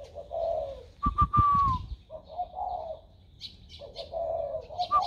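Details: Spotted dove whose voice has newly turned warm, recorded 16 February 2020. Rounded, low cooing phrases open and close the recording. In the middle come several sharp knocks and a clear whistled note that slides downward.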